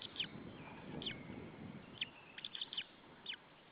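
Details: Nesting male white-tailed eagle in Estonia calling at an intruding eagle on an April evening: scattered high, clipped yelps, single and in short clusters, over a soft low rumble of ambient noise.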